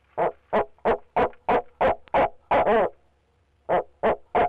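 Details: From inside his nest box at Leesville, a male barred owl gives a rapid run of clipped hoots, two drawn-out wavering notes, a brief pause, then three more hoots. He called persistently from the box for 45 minutes.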